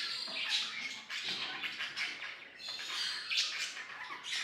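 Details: Pet budgerigars singing, playing and talking: continuous buzzy, scratchy chatter with squawks and chirps, dense and overlapping throughout, bursts rising and falling every second or so.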